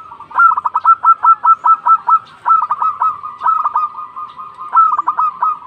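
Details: Local zebra dove, an energetic caller, calling to others with long, rapid strings of staccato cooing notes, each string opening on a slightly higher, drawn note, repeated almost without a break.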